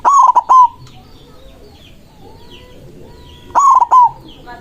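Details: Zebra dove (white perkutut) singing boldly to challenge rivals: two bursts of rapid stuttering coos, each ending in a short sustained note, about three seconds apart, with faint chirping of other birds between them.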